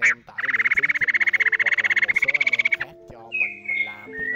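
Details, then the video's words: Laughingthrush pair, male and female, calling to gather the flock, used as a trapping lure. A fast, buzzy rattle of about four pulses a second runs for over two seconds, then whistled phrases follow. Low steady musical tones sound beneath. "Tiếng Khướu Ngực Hồng Trống Mái Gọi Bầy"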